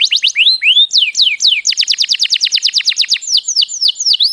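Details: Canary singing, played to teach young birds: a few sweeping whistled slurs rising and falling, then a long run of quick repeated downslurred notes at a steady pace, ending in wider looping phrases.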